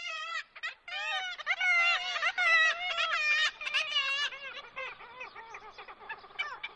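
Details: Black-legged kittiwakes calling at a colony in Dunbar, Scotland: loud, nasal, wailing calls with wavering, rising-and-falling notes pile up into a restless, overlapping chorus, several birds at once, far from tranquil.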